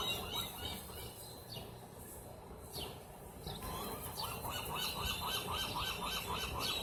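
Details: Gulls served lunch at Rockaway Beach: scattered sharp cries give way to a quick, regular run of yelping notes in the second half, against steady background noise.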